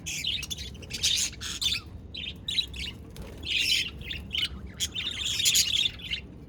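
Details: Budgies on 22 January 2024 give irregular bursts of shrill, rapid twittering, some longer warbled runs and some single chips, separated by short silences.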